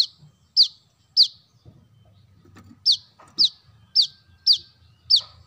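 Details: Brown-throated sunbird used as a bird lure: eight high, sharp, downslurred notes in two runs, split by a short pause with faint rustling.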